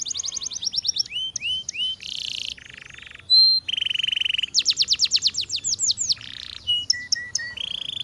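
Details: Canary song rich in contrast: rapid trills, rising slurred notes, harsh buzzy blocks, a loud flat tone, more fast sweeping runs, and short low whistles near the end.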